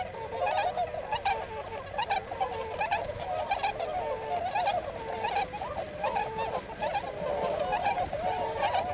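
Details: Wintering flock of several hundred Tundra swans on rice fields along the Swan Road in Hakuta, Yasugi, Shimane, Japan; dense overlapping honking and bugling calls, continuous chorus of many birds throughout.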